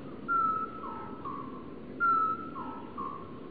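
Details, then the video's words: Great tit singing in early spring sunshine on 25 February: a clear whistled note held near one pitch, followed by two lower slurred notes, the phrase repeated twice about two seconds apart over soft background noise. "A great tit proclaims his existence through the medium of bird song"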